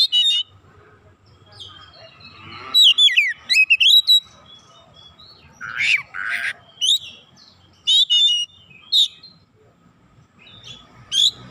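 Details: Lively oriental magpie-robin song: tumbling fast whistled notes, a pair of harsh rasps around six seconds, then scattered bright whistled phrases and chirps with quiet gaps between.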